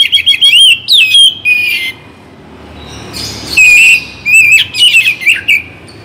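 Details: Oriental magpie-robin (kacer bagong), morning and evening singing: loud clear whistled notes with sliding, warbling phrases, a quiet pause mid-way, then another burst of rapid rising and falling whistles.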